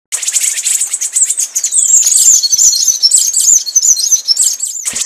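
Scrub Tanager giving rapid, very high, thin chittering calls in a busy run of sharp notes, with one brief downslurred whistle partway through.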